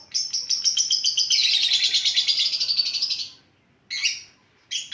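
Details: Lovebird in a long run of fast, buzzy high chattering, pulsing about three times a second for over three seconds, followed by two shorter bursts after silence; described as an effective lure song.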